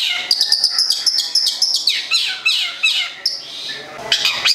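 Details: Local long-tailed shrike (cendet) from Gedong Songo, Central Java, kept as a songbird: fast varied chirps and sweeping high whistles, many short notes in quick succession with clear pauses.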